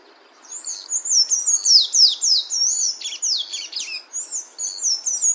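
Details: Sayaca tanager singing in the wild: a hurried string of thin, squeaky, down-slurred and twisting notes, around three to four a second, running for about five seconds over faint background hiss.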